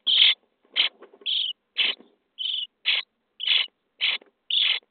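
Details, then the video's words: Starling nestlings, day 23 in the nest box, begging as they are fed: steady run of about ten short raspy hissing bursts, evenly repeated roughly every half second, with faint scratching between. "Szpaki w budce dzień 23 - karmienie piskląt"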